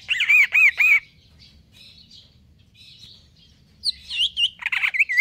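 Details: Greater green leafbird, kept in stable condition, performing 'konslet kejer nembak' song: a fast run of rising-falling whistled notes, a quiet pause, then renewed loud looping whistles repeated about four per second.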